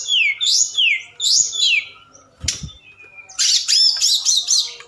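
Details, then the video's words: A forktail calling at night as a lure to rouse other birds: two sweeping whistled phrases, a short gap with a soft low thump, then a harsh, buzzy high chatter. "Tledekan Gunung Gacor Malam || Suara Pancingan"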